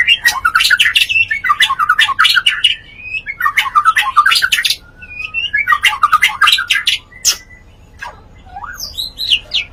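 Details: Mating white-rumped shama heard in breeding-stimulation audio: bursts of harsh squawky chattering phrases, each about a second long, separated by short quiet gaps with stray thin whistles.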